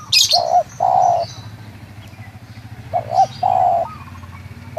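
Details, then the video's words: Local spotted dove calling in Munjung Agung village, Kramat, Tegal: two quick short notes followed by one long, steady, low coo, phrase given twice, with faint high chirps of other birds and low rumbling background. "Suara panggilan tekukur lokal"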